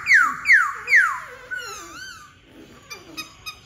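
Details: Black-throated laughingthrush song opening with three loud whistles, each sweeping steeply downward about half a second apart, then softer wavering, warbled notes and a few short clicks.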